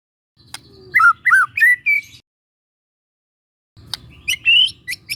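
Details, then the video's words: Young wild White-rumped shama from the forest, used as a training lure: a few looping whistled notes, a silent gap, then sharp rising notes and chirps over a low background rumble. "PANCINGAN SANTAI MURAI MUDA HUTAN🔴🔴 shama bird🔴 bird vocalization"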